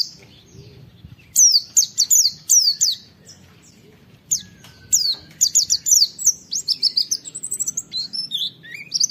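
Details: Oriental white-eye delivering rapid 'wit wit' phrases for a tutoring recording: clusters of piercing, downward-slurred whistles in loose runs, becoming denser and more chattering toward the end.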